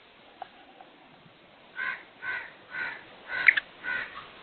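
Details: A black francolin gives a harsh, grating phrase of five rasping notes, about two per second, rising and falling in a rhythmic chant over a quiet background; locally rendered as the words "subhan teri qudrat".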